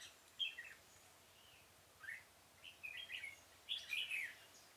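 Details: In a pomelo garden on 25 October 2017, a decoy red-whiskered bulbul sings to lure birds into a trap: short, somewhat distant warbled phrases come in a loose series, building to a stronger final flourish.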